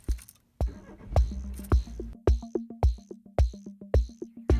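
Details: Electronic music with a steady drum-machine beat, sharp repeated percussive hits and a low bass line, no animal sounds.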